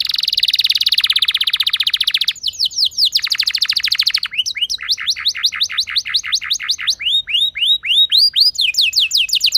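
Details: Singing canary used as a lure for other canaries: a dense rapid high trill, then rhythmic series of repeated arched whistled notes at varying speeds, loud and clear with a quiet background.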